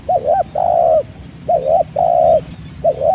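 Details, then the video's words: Clear-voiced spotted dove, recorded as training and lure audio: alternating doubled coos and long level hoots, each about half a second, in a steady cycle over faint background noise. "Masteran Burung Tekukur / Derkuku dengan Suara Jernih Cocok juga untuk Pikat"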